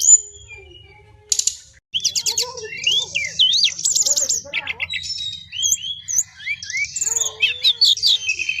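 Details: Brown-chested jungle flycatcher in 'ngeroll' long rolling song: after a brief quiet start, a continuous high jumble of trills, looping whistles and quick chattering notes, with some soft lower notes underneath.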